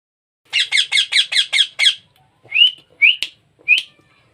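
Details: Baby parrot being hand-fed: seven rapid, harsh, pulsing begging notes, then three short rising whistled notes with brief pauses between them.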